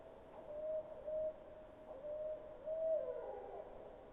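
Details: Barred Owl recorded in summer at Skagit gives a run of mid-pitched, hollow hoots, several short and even, the last drawn out and sliding downward, besides its typical "who cooks for you" call; faint background hiss.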